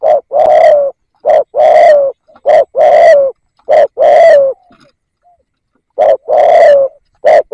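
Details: Loud, close spotted dove used as a decoy for luring, repeating its cooing rapidly. Short clipped coos alternate with longer, rich, slightly descending coos in quick succession, with brief pauses.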